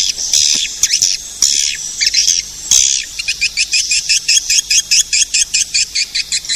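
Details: Edible-nest swiftlet lure call for attracting swiftlets: a dense burst of overlapping high chattering chirps, then a steady run of sharp, clicky twitters repeated about twice a second.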